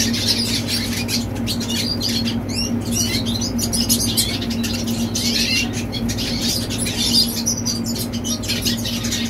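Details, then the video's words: Young red siskin in full song, a long chattering stream of high chirps, trills and sliding whistles, with a steady electrical hum below. "Teen Red Siskin Singing - Chim Red Siskin Hót"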